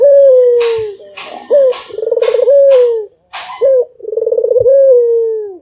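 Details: Cooing Barbary dove, a puter kept as a cage bird, giving long low level coos with rolling pulsed starts and slowly falling ends, separated by short sharp notes; clicking noises in the background.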